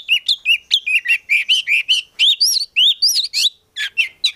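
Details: Energetic gacor song of a kept Oriental magpie-robin packed with isian fill-ins, a steady run of short rising-falling whistled notes, about one every quarter second, varying in pitch and climbing higher midway.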